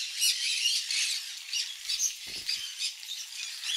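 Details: Several conures eating mealworm egg food, giving a dense stream of harsh, high squawks and chirps that overlap constantly, with brief louder screeches and a soft low knock midway.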